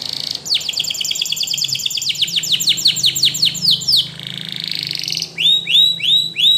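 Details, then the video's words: Spanish Timbrado canary singing to train other canaries: a long run of quick, downward-sweeping chirps repeated several times a second, then a dense buzzy roll and a slower series of ringing, looping notes. "SPANISH TIMBRADO Canaries Invites All Canaries to Sing!! Canary training"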